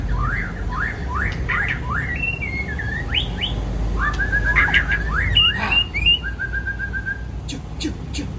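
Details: White-rumped shama of the Aceh type singing over loud steady rumbling noise: a fast series of rising whistled slurs, then longer flat whistles and twisted notes, with sharp high clicks near the end.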